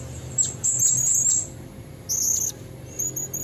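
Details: Female blue-crowned hanging parrot calling to lure males, recorded from nature: thin, high-pitched squeaky notes in two short bursts with a quiet gap between, plus a faint steady hum.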